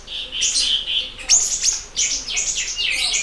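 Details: Energetic siri-siri bird song for luring and training other birds: steady high buzzy warble, then sharp descending whistles and a rush of rapid chirping, all very high-pitched.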